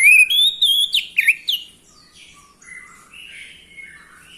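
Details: Orange-headed thrush song meant to spur males into singing: loud, quick whistled notes and slurs in the first second and a half, then softer, quieter warbled phrases fading on.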